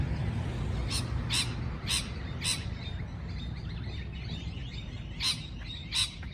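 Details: Chirping parrot: a few sharp, high chirps in a short run, a pause, then two more, over strong low-pitched background noise.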